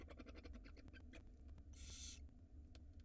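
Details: Barn owl nestlings at feeding time on a live nest camera in Israel: a quick series of soft clicks and taps, then one half-second breathy hiss, with a steady background hum.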